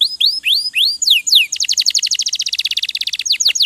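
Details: Canary singing a training song meant to make birds sing diligently: a few sweeping upslurred whistles, then a rapid rattling series of high descending notes, about four per second or faster, closing with sharp downslurs.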